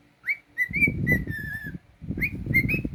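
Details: Cockatiel kept as a pet whistling: rising slurred notes and a long sustained level whistle, partly overlaid by loud low rumbling noise.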